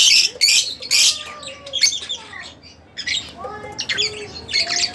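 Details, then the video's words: Split blue Fischer's lovebirds, kept as pets, chirping: a busy run of high, sharp squawks and short tweets in uneven bursts, with thin whistled notes sliding between them and brief pauses. "Split Blue Fischer | lovebirds chirping | singing Sound"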